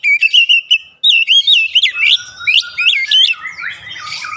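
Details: Oriental magpie-robin singing 'ngeplong' lure song: clear repeated whistles, then varied looping slurred phrases, ending in softer, denser twittering.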